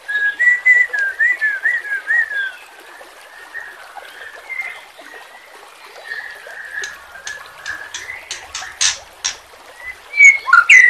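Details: White-rumped shama song for training captive birds, set against flowing water: a loud run of wavering whistled phrases, then a quieter stretch of soft whistles and water noise, with sharp clicks and a bright whistle at the end.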